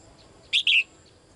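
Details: A female bird calls the male with one crisp two-note chirp, a brief high note then a longer, slightly falling one, in an otherwise quiet setting.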